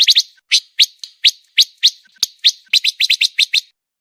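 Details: Pancawarna song for training contest birds: separate high, sharp chirps about three times a second, speeding into a quick cluster of notes near the end.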